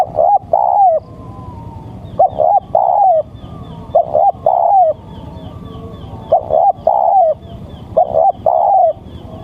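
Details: Male spotted dove's call used for luring, heard as four rhythmic phrases of two short coos and a longer drawn coo, roughly every two seconds, with faint high chirps in the background.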